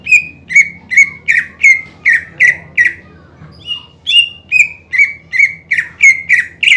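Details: Greater green leafbird song used as a lure to provoke rival birds: long series of loud, evenly spaced whistled notes, roughly two to three per second, each dipping in pitch, with one short break midway.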